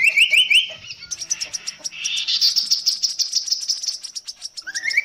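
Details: Chestnut-capped babbler (locally kasokaso or tepus gelagah) singing a long-duration song variation: rising whistled note series repeated in quick runs, with rapid high chattering notes and a sharp upslurred phrase closing.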